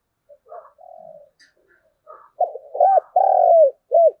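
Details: Spotted dove performing the 'thúc gù' coo, 'thổ đồng' local field voice, played to provoke wild doves into calling: soft low murmuring notes build into loud, deep rounded coos, a long sustained one flanked by short hooked notes.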